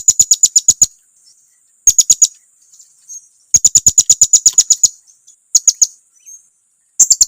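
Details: Blue-crowned hanging parrot lure call, meant to provoke rivals: very high, sharp chirps in quick rapid-fire bursts of five to ten notes, separated by short pauses, with faint softer chips between bursts.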